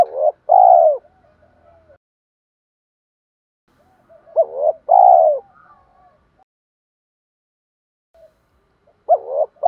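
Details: Spotted dove coo used as a lure for wild doves: three phrases about four seconds apart, each a short rising note followed by a long, loud, falling coo and soft trailing murmurs, against a quiet background.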